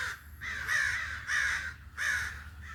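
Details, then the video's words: Crow uttering three long hoarse caws, each harsh and slightly falling, spaced roughly half a second apart over a faint low background hum. "original sounds of the crow's"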